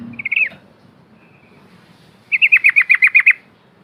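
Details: Yellow-vented bulbul singing in ngikluk style while wing-flapping, a lure for silent bulbuls: a short dropping phrase, a faint thin whistle, then eight quick evenly spaced chirps over soft background hum.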